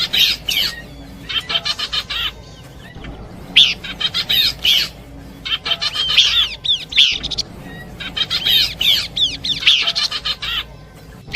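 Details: Horsfield's babbler combination song used for luring birds: bursts of bright, rapid chirping and whistled phrases, high-pitched, in repeated clusters separated by short pauses, with a faint background hiss.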